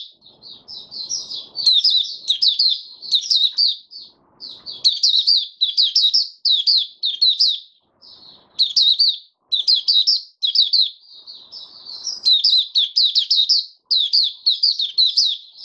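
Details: Long, continuous high twittering from a male white-eye stabilising its form, dense warbled phrases of quick chirps in bursts with brief pauses, faint low noise at times.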